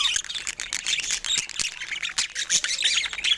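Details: Budgerigars kept as pets, playing with toys in the morning, produce a continuous scratchy, buzzy twitter of overlapping high notes without pauses.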